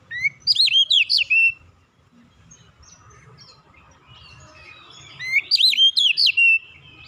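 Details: Oriental magpie-robin singing in a relaxed way, used as an effective lure to get untrained birds singing quickly; two bursts of rapid, high, sweeping whistled notes about four seconds apart, with quiet and faint low hum between.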